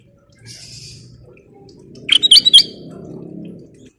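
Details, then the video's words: Short sooty-headed bulbul lure phrase: a handful of quick, clear, slurred whistles in under half a second against a faint low background hum. "Burung Kutilang Emas Gacor full isian/Pancingan Kutilang Gacor"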